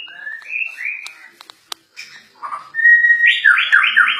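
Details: Agitated Borneo white-rumped shama singing: clear whistled notes sliding upward, a few sharp clicks and a brief pause, then a loud, rapid run of tumbling, warbled phrases that rise and fall.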